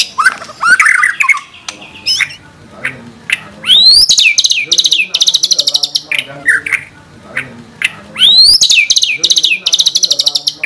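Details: Energetic white-rumped shama song, rich in 'tembakan' shot phrases, recorded to provoke other shamas into song: jumbled whistles and chips, then sharp upslurs opening into rapid high trills, repeated twice with softer notes between.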